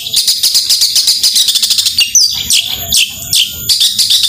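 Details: Long-tailed shrike 'gacor tembakan' song used to spur lazy shrikes: rapid rhythmic clicking chatter for two seconds, then harsh loud bursts and a thin whistle in separate phrases.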